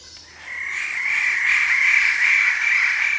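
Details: Wallace's standardwings calling together from a perch at Labilabi, recorded close up. A continuous buzzy, grating chorus swells after a quiet start and holds steady.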